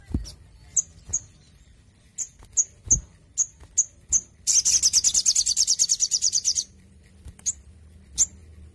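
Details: Sogon bird under intensive care gives scattered high sharp chips, then a fast two-second burst of repeated buzzy notes, and a few more chips, over low background hum.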